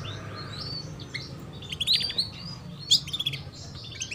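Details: Female canary chirps, played as a prompt for young canaries to sing quickly: soft scattered tweets, then louder quick trilled chirps in the second half, over a noticeable low rumble.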